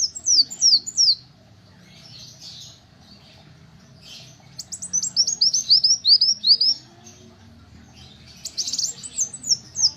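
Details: Little spiderhunter song: three bursts of thin, high, sharply down-slurred notes, each burst a quick run of four to seven notes about a second long, separated by quieter gaps with faint low background rumble.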